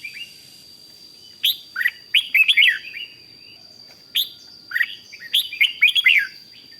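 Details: Song in the 'rik' style from a red-whiskered bulbul, intended to excite other bulbuls: two bursts of rapid, tumbling chirpy notes rising and falling, with a steady faint tone throughout.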